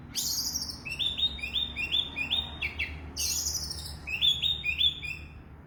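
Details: Oriental magpie-robin singing vigorously, a rapid run of repeated upward-flicking whistled notes, about four per second, broken by harsh raspy bursts, then another quick whistled series; faint low hum beneath.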